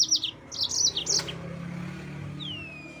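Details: Yellow-fronted canary (mozambik) song aimed at provoking rivals: a fast series of bright chirped notes in the first second, then quiet hum and a single faint descending whistle.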